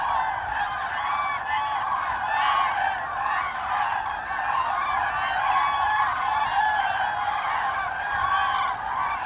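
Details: Migrating common cranes over Hesse, Germany, on 25 October 2021 during the autumn passage: a loud chorus of rolling trumpet calls from many birds, pulsing in waves of volume.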